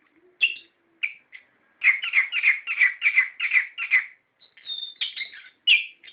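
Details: Orange-headed thrush song used to stir captive birds: a few isolated notes, then a quick steady string of similar chirpy syllables, followed by high thin whistles and a final burst.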